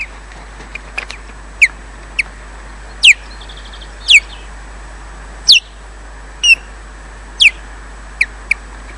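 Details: An osprey (Odin) at Loch Garten, Scotland, lands defensively then leaves, giving sharp, high, whistled chirps that sweep steeply downward, repeated roughly every second, over a steady hiss of wind.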